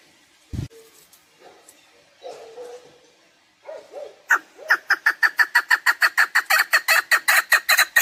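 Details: Chukar partridge: faint scattered low sounds at first, then from the midpoint a fast, loud run of clucking chuk notes that builds in strength. The recording is offered for use in partridge hunting.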